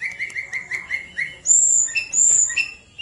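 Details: Tledekan gunung singing, played to lure lazy birds into singing: a quick row of mid-pitched whistled notes, followed by two long, very high, piercing whistles with lower chirps between them.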